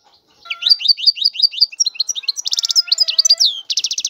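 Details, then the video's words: Short burst of European goldfinch song: a string of quick, liquid, upslurred chirps, then a dry buzzy rattle, more tinkling notes and a second rattle, all high-pitched and hurried. "تغريد الحسون هو اجمل صوت العصافير"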